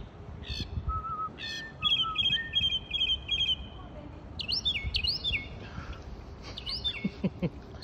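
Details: Songbird in a palm tree in front of a marina in Wilmington, North Carolina, giving low whistles, then a rapid series of repeated high chips, followed by rising slurred whistles, with low-pitched background noise throughout.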